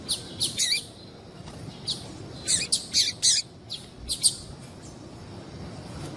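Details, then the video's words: Quick high chips from a calling female double-collared seedeater meant to stimulate males, bunched into fast clusters in the first half, then fading to silence toward the end. "Fêmea de papa capim louca piadeira"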